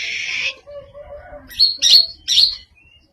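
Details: Greater green leafbird with an unusual song: a dense high buzzy burst, then a pause and three sharp chattering notes with whistled peaks.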